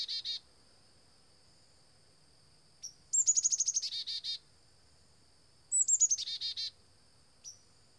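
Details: Black-capped chickadee (Poecile atricapillus) visiting a bird feeder, which it does daily, giving two chick-a-dee calls: quick, high, descending notes running into a string of buzzy, lower dee notes, with a few single high chips between.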